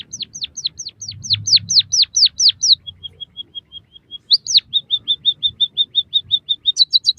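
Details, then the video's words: White-headed munia song used as training audio for captive birds. A dozen sharply falling whistled slurs are followed by soft even ticks, then a long run of quick chirps ending in higher notes. "suara burung emprit kaji gacor masteran burung pipit bondol haji"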